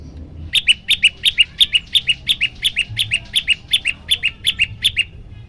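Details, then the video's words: Yellow-bellied prinia song, used as a master recording meant to provoke other birds: a rapid, steady run of about sixteen sharp, high chirping notes, roughly three per second, over a low background rumble. "masteran burung prenjak lumut bikin emosi burung yang dengar"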